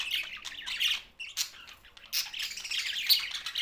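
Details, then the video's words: Harsh squawking chirps from budgerigars in Larkana, Sindh, come in loud clustered bursts with a short gap just after the first second. "Budgies Australian parrot sounds"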